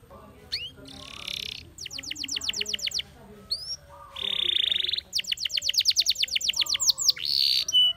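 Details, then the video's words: Spanish Timbrado canary singing: rapid trains of high descending chirps, a sustained buzzy trill, short rising whistles, then more fast repeated chirp rolls ending in a rolled note; faint low hum beneath. "Spectacular Spanish Timbrado Canary, This Canary Invites All Birds to Sing"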